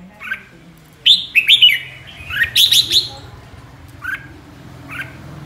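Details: Flock-leading red-whiskered bulbul sings two bursts of bright, liquid, warbled notes, bracketed by single short chirps, against a faint low background hum.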